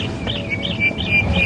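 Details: Starlings sing during a morning safari drive at Djuma Game Reserve on 5 November 2015, heard but unseen: fluty, arched whistles repeated about every half second over a steady high tone, with a low vehicle-like rumble underneath.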